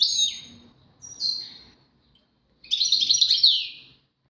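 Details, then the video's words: Goldfinch song of tawawati and tbatbati phrases in Moroccan style: two descending slurred whistles with a pause, then a quick jangling burst of twitters and trills, against faint low room noise. "غازارات تواواطي وتباتباتي فالقمة اسمع واتمتع مع المقنين الزين"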